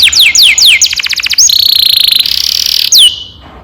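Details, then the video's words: Canary in vigorous long-rolling song, played as a lure to train young canaries: repeated descending whistled sweeps, then a fast buzzy trill, a long sustained rolling tour, and a final downslurred note. "Kenari gacor NGEROL PANJANG"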